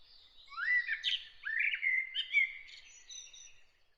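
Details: Early morning, one bird sings a flowing phrase of rising whistles and quick warbled notes lasting about three seconds, fading away at the end.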